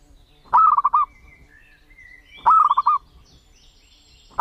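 A zebra dove gives a quick, stuttering series of soft rolling coos about every two seconds, with faint higher bird calls behind.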